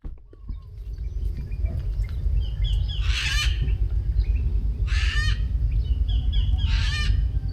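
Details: A critically endangered red-vented (Philippine) cockatoo near Narra, Palawan, Philippines, gives three harsh, raspy screeches, each about half a second long and roughly two seconds apart, over a steady low rumble of wind or background noise.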